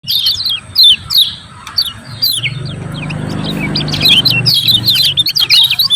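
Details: Lemon-bellied white-eye, a song used to stir reluctant birds into singing: bursts of high, sharp chirps and quick down-slurred notes, several overlapping, in irregular clusters, with a low hum beneath.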